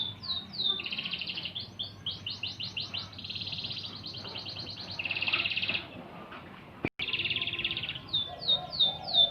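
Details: Master recording of a canary meant for tutoring magpie-robins, full of rapid high rattling trills and sustained buzzy rolls switching between tours, broken by a short dropout near seven seconds before the trills resume.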